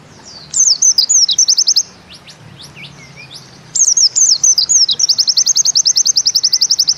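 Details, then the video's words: Pleci, Bustomi type white-eye, in 'nembak ziperrr' style: high, looping slurred whistles that break into a rapid zipping trill, the final phrase sustaining the fast repeated notes for several seconds. "Bustomi NEmbak Ziperrr Mudah DI Tiru"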